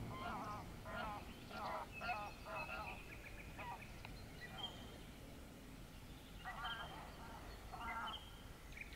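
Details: Common starling imitating a wader: runs of short nasal, harmonic-rich bursts in quick clusters, interspersed with thin high whistled notes, over a steady low rumble of background noise.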